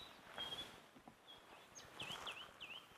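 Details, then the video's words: White-browed scrub robins singing at sunset in Rietspruit Game Reserve, Lowveld, South Africa, 20 May 2024: a thin high whistle, then three quick rising-and-falling whistled phrases, over soft rustling and footsteps. "You can hear white-browed scrub robins singing, beautiful call."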